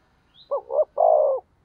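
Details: Decoy spotted dove cooing to bait wild doves into calling: a short double note and then a long even coo, preceded by a faint high chirp from another bird.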